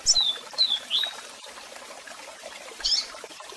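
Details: Three slurred, falling whistles from a double-collared seedeater, a pause, then one buzzy call note. A continuous cascade hiss fills the background.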